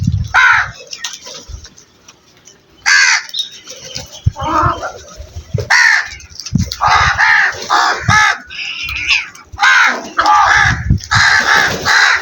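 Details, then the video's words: Crows cawing: harsh, hoarse caws with stacked harmonics, given singly and in quick pairs or short runs, roughly a dozen calls separated by brief pauses, over a low background rumble. "Incredible Crow Sounds"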